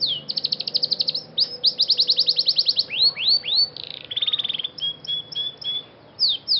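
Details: Scotch Fancy canary song for training: rapid high trills in two bursts, a few downward-curving whistled slurs, a buzzy rolled phrase, then spaced flat piping notes and a final sweeping whistle; soft low hum behind.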